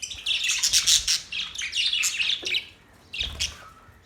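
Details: Busy warbling chirps from Australian budgies, bright and scratchy for over two seconds, then silence and one short final burst.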